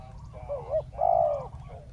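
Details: Calling down a wild bird, a decoy spotted dove gives one phrase: a soft wavering rise-and-fall note followed by a strong, steady drawn-out coo.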